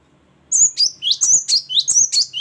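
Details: After a brief hush, a great tit launches into about eight rapid, ringing two-note phrases, each a piercing high whistle dropping to a lower one, delivered in the loud, free-flowing gacor and ngeplong manner.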